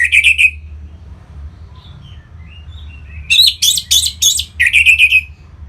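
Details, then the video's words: Song of a kept orange-headed thrush, North Bali, used to prompt other birds to sing; a warbled burst opens, then after a pause a loud run of buzzy chattering notes and a trilled phrase, with a low hum throughout. "Punglor Merah Lagi Berkicau.. Untuk Pancingan Bunyi"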